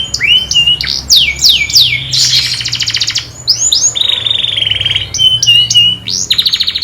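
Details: Master canary singing, described as calling friends and fighting: loud descending whistled sweeps, then a fast buzzy trill, a lower steady rattling phrase and more sweeps and trills, over a faint low hum.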